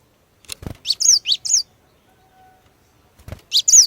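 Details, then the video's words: Female Cinereous tit singing to lure males into song: quick series of shrill, high chirps in short clusters, a brief pause, then another bright burst, with light fluttering sounds before each cluster. "Kicauan Glatik Betina Pikat Gacor, Cepat Bikin Glatik Jantan Ikut Bunyi Gacor"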